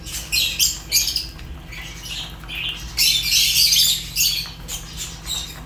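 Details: Fischer's lovebirds in rapid, shrill chirping, short sharp notes repeated several times a second, then a louder harsh squawky stretch, with a faint low hum.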